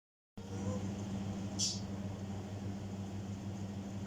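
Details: Steady low mechanical hum with one short hissing burst midway.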